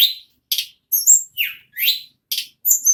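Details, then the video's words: Ashy tailorbird singing in a non-stop rolling style, described as nagen ngerol: short high-pitched bursts of buzzy, scratchy notes and thin whistles, each lasting under half a second and separated by brief pauses. "Burung Tledekan / Sulingan Gunung Nagen Ngerol Non Stop"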